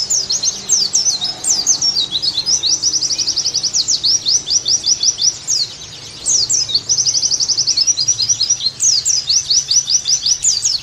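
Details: Oriental white-eye delivering a nearly continuous high song of quick slurred chirps and buzzy even trills, with one short pause midway. The recording is meant to restore lively singing in pleci.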